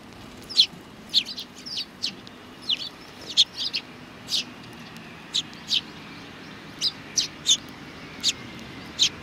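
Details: Sparrows at a Tenmangu shrine in Japan, 4 July 2019: steady scattered high chirps, single and in small clusters, from more than one bird, over a quiet low background rumble.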